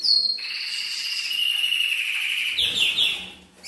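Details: Male canary singing to stimulate a female to mate: a sustained, steady whistled note held for over two seconds, followed by quick descending trilled phrases.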